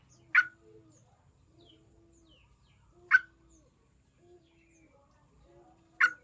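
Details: Yellow-vented bulbul lure recording to get other bulbuls singing: single abrupt, harsh notes spaced nearly three seconds apart, with faint low tones between them.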